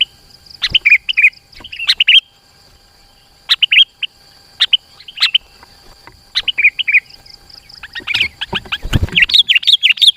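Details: Kutilang, or sooty-headed bulbul, in dense song played to lure rivals and train caged birds; spaced bubbly phrases early, building toward the end into a busy, excited chatter of overlapping notes.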